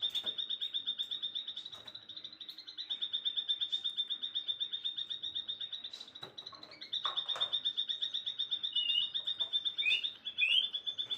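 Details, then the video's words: Afternoon songbird produces a long rapid high trill, broken by a short pause and a few varied chirps near the end, with faint clicks in the background. "kicauan sore hari relaxing Bird sounds"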